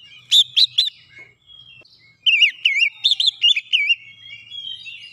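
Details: Oriental magpie-robin song serving as a lure to provoke rival birds: three sharp whistled notes, a pause, then a fluent run of looping, warbling high whistles.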